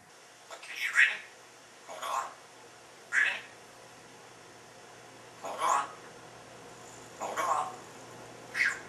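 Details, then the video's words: Caged female African grey parrot chattering to herself with nobody else around, practising new words: six rough, speech-like bursts spaced one to two seconds apart over a steady low hum. "African Grey Parrot Talking and having conversation while in her cage"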